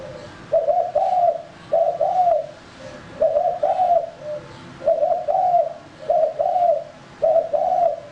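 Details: Spotted dove male, a decoy bird, sounding rhythmic mellow coos: each phrase a short note followed by two longer falling ones, repeated about every second, loud and unbroken.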